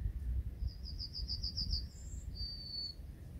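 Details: A yellowhammer in a hedge, a species now getting rare, sings its "little bit of bread and no cheese" song: about eight quick, thin, high notes, a brief higher note, then a long drawn-out final note, over low wind rumble.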